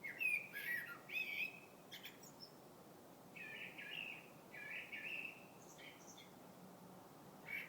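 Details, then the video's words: Singing bird in February: bright whistled notes open the passage, followed by softer, buzzy, burry phrases repeated at intervals, with a quiet background. "Vogel singt."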